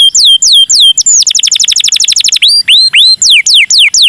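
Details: Canary performing cengkok mewah song, meant to draw other canaries into singing. Looping whistled phrases lead into a dense fast trill, which is followed by slower, downslurred whistles repeated about three times a second.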